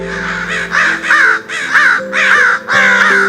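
Crow giving five harsh, wavering caws about two-thirds of a second apart, over a low sustained musical drone.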